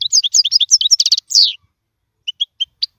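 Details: Tutor song of a European goldfinch for teaching chicks: a quick, liquid twitter of rising and falling chirps closing in a buzzy note, then four spaced single chirps.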